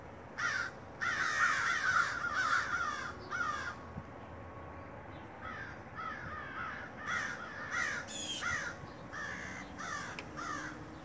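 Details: Several large black crows calling outside near a home on a quiet rainy day: harsh, hoarse caws in uneven bursts, some doubled or run together, about a dozen across the stretch, over a steady hiss of rain.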